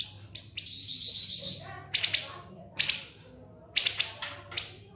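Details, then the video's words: [['Siri-siri masteran song: sharp chips lead into a sustained buzzy trill, followed by single piercing falling notes spaced about a second apart, against a quiet low background hum.']] "MASTERAN BURUNG SIRI-SIRI NGEBREN SUPER PEDAS TEMBAKAN TAJAM & SUPER PANJANG"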